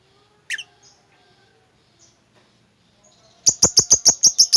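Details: Lovebird chatter ('ngekek') of the kind played as a lure to set a quiet lovebird singing. After a quiet stretch broken by one sharp chirp comes a loud burst of about eight harsh, rapid, evenly spaced chirps, roughly seven per second.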